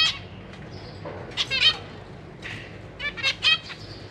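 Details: Caged zebra finch family, parents feeding fledglings: a few sharp nasal calls in two clusters with quieter high notes between, against low background hum.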